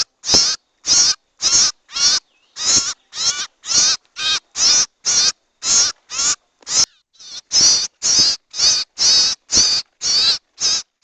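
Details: Owl voice for luring and catching owls: about twenty harsh, hissing screeches in a steady sequence, roughly two per second, with one brief softer call in the middle.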